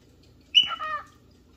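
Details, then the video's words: Cockatiel calling while looking for a partner or playmate: a single loud, harsh call with a sharp rising onset that breaks into a layered, slightly falling tone lasting about half a second, in an otherwise quiet setting. "Cockatail looking for a playmates"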